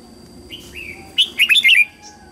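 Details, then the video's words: Red-whiskered bulbul singing its morning song for training young white-cheeked birds. Two soft, drawn-out whistles lead into a fast burst of five or six loud, warbling, up-and-down notes. "Luyện giọng chào mào hót sáng hay nhất để luyện má trắng"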